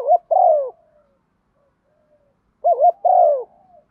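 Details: Spotted dove giving provocative coos aimed at rival males. Two phrases, each a quick wavering double note followed by a long, sliding, downward coo that trails off into faint tones. Quiet background.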